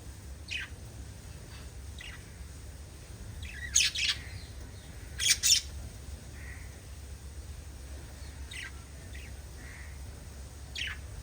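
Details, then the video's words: Pet lovebirds give scattered short, thin chirps every second or two, broken by two loud, harsh squawking bursts near the middle, against a quiet low hum. "LOVE BIRDS CHIRPING sounds"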